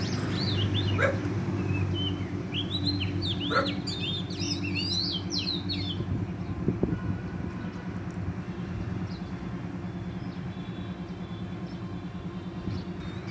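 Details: Wild Oriental magpie-robin at a trapping site singing vigorously: varied whistled phrases fill the first six seconds, then mostly a steady low rumble and faint noise remain.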